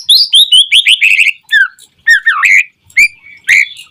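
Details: White-rumped shama singing steadily as a lure to provoke other shamas into song: a rapid chain of high whistled and chattering notes, then separate bright slurred phrases, some dipping and rising, with brief gaps.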